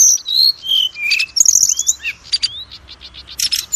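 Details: Oriental magpie-robin singing, played as a lure to spur other magpie-robins into song: high, thin whistled notes and short warbles, one rising slur, then a string of scattered quick clicks and chips.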